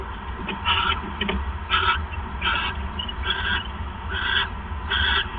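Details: Male owl bringing a third mouse at night, 28 December 2014, 9:42 PM; short breathy hissing rasps about once a second, with a few softer scratchy sounds early on.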